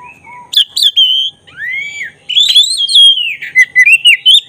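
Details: Black-breasted oriental magpie-robin in lively song, used to provoke excitement and tail-spreading: a low whistled note, then loud clear whistles and sweeping slurred phrases that rise and fall, ending in rapid sharp repeated notes.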